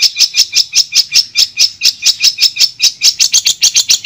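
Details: Madura long-tailed shrike in a clear tutor recording, delivering an unbroken chain of high, sharp chip notes at a brisk, slightly irregular pace that speeds up near the end.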